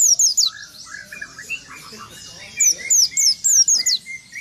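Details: Oriental white-eye with its beak open, giving a rolling song said to provoke rival birds; quick bursts of high, sharply falling whistled notes at start and end, with other lower chirping birds behind.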